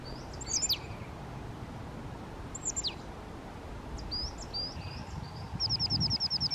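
Eurasian nuthatch giving sharp, high, downslurred call notes a few times, ending in a fast run of about ten clear piping notes; low background rumble.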